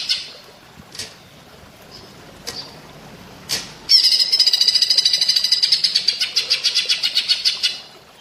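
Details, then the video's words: Flameback-like song from a greater green leafbird on a training recording: a few scattered sharp notes, then a loud, fast rattle of high pulses at about three or four per second, tapering off. "Masteran cucak ijo rasa platuk bawang"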